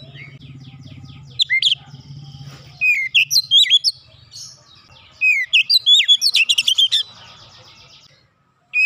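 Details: Oriental magpie-robin (kacer) singing 'nembak rapat', the tight rapid style, used to coax an untrained bird into singing: scattered bright whistles, then two dense bursts of quick swooping and stuttered notes, with low rumbling underneath.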